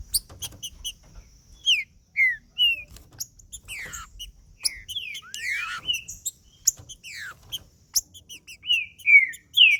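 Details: Green-winged saltator song played to rouse a male trinca-ferro. Short slurred whistles, buzzy descending sweeps and rapid chip series follow one another without long breaks, ending in loud bright notes.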